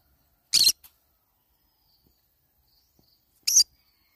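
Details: While feeding on banana leaves, a green-cheeked conure gives two short grating squawks three seconds apart, the first followed by a tiny click, otherwise quiet.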